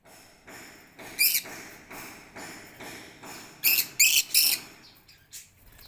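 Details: Caged lovebirds in a garden aviary waiting in line to be fed corn at lunchtime; a few sharp, piercing chirps in short clusters over a regular, evenly spaced rasping pulse.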